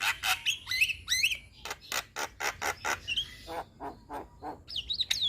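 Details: Young Javan myna singing energetically with many varied filler phrases: harsh, broadband rasping notes repeated about twice a second, mixed with short rising whistles and ending in high tonal warbled notes over a low background rumble.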